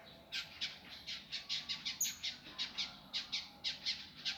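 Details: Indigo flycatcher, master recording for training birds in a rough, fast, dense style: a regular run of harsh, raspy chip notes, about four per second, with one piercing high whistle midway.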